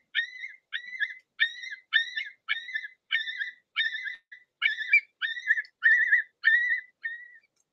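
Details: Long-billed Curlew alarm, given when an intruder is too close to a nest or chick: a loud, harsh, blood-curdling scream repeated about eleven times in eight seconds, each note rising and buzzy. The call rallies other curlews to mob predators.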